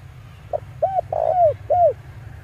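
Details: Male spotted dove used as a lure call for wild doves: short soft coos, then a longer drawn-out coo and a final arched coo, all low and hollow, over a steady low hum.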